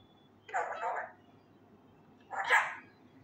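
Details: Male Indian ringneck parakeet trying to learn Urdu words loudly utters two separate raspy, speech-like syllable groups about two seconds apart.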